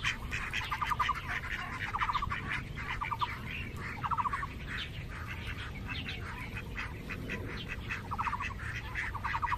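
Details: Ducks squabbling as a group on a lake island at Cheng Kung Lake: rapid rattling quack runs recur every one to two seconds amid overlapping harsh squawks and steady low noise.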